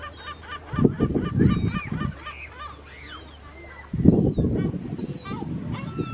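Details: Mediterranean gull, a second-calendar-year bird, recorded on Vlieland, the Netherlands, on 24 August 2024, giving nasal, up-and-down slurred calls in two bursts, with heavy low wind rumble between them.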